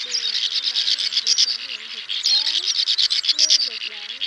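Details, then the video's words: Male and female swiftlets summoning the flock to roost, a lure for net trapping: steady stream of high, rapidly pulsed twitters, about six pulses per second, with faint low wavy notes in the background. "Tiếng Én Mốc , Nhạn Nâu Xám Gọi Bầy Ru Ngủ Lùm , Trống Mái Kêu"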